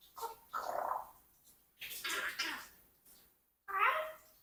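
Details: Captive four-year-old Congo African grey parrot talking indoors, giving several short voice-like phrases separated by brief pauses, with a person speaking nearby.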